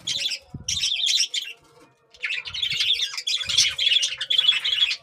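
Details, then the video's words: Budgerigar chicks being fed keep up dense, hoarse begging chatter. Early bursts break off into a short lull, then a long, nearly continuous run of overlapping raspy squeaks follows, with light knocking underneath. "Bajri chicks feeding time"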